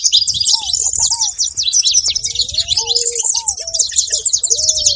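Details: Noisy saffron finches: a busy chorus of thin, high chirps and tweets running throughout, with several clearer, lower, slurred whistles rising and falling beneath them.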